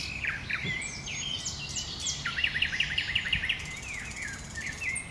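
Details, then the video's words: From cover in bushes, a common nightingale delivers varied chirps and slurred whistles, then a rapid, even series of about eight repeated down-swept notes, followed by a few scattered phrases. "Słowik Rdzawy w krzakach sobie śpiewa"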